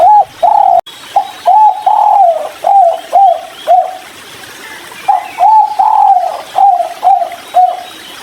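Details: Spotted dove, 'kuk 3' type, calling while drinking by a river: a series of short, mellow hooting coos, a burst of about seven, a brief gap, then about six more, against a constant hiss.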